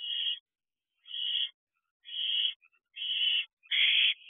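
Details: Barn owl owlets back at their nest box at 9:22 pm on 6/12/23 give raspy hissing screeches, five evenly spaced bursts roughly once a second, the last one loudest and broadest, in a silent background.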